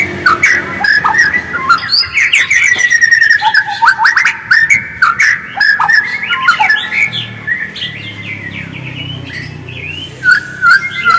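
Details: White-rumped shama in its original voice, sung as a lure to get other shamas singing: a long, varied stream of whistles, slurred trills and quick chattering notes, fading to quieter phrases over a low hum.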